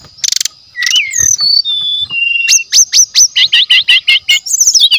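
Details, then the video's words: Varied song of a brown-chested jungle flycatcher used as a lure: a buzzy burst, gliding whistles at several pitches, then a rapid repeated series of sharp, hooked notes, over a steady high whine. "SRDC GACOR DENGAN SUARA ASLI ALAM, PANCINGAN SRDC MASTERAN"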